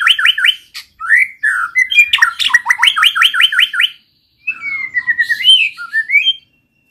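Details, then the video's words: ['White-rumped shama song used to prompt other shamas to sing: rapid series of repeated down-slurred whistles and chips, a short pause, then a wavering whistled phrase with softer twitters.'] "pancing MURAI BATU malas bunyi/bahan paling mudah direspon tanpa takut"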